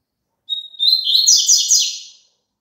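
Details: Double-collared seedeater song played for caged birds to sing along: a steady high whistle opens, then a fast run of buzzy, warbled notes that rise and fall, lasting under two seconds in a quiet setting.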